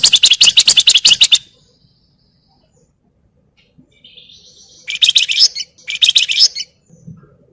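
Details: Flamboyan crecetan chatter used for training other birds: a long burst of fast, harsh rattling pulses, silence, then a thin rising buzz leading into two more rasping chatter phrases.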